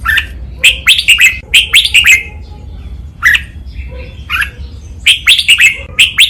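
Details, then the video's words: Red-whiskered bulbul training recording in the 'double 2' counted-phrase style: lively clusters of bright, slurred chirping notes, a quieter spell with a single chirp, then another energetic warbled run, over a low hum. "นกกรงหัวจุก | เสียงร้องเบิ้ล 2 นับดอก แม่บท ลากหวาย คมชัด ไว้ฝึกนก (เสียงฝึกร้อง)"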